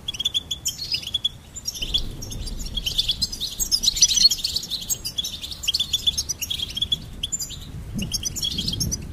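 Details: Long, lively goldfinch twittering, fast high notes and repeated chips flowing in busy phrases with brief gaps, the loudest, most crowded passage around the middle.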